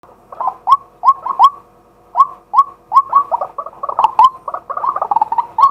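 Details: Male white-breasted waterhen calling as a decoy by day, recorded live with a set-up camera: a busy run of short, rising, hollow kwak notes, some overlapping into a jumbled burst near the end.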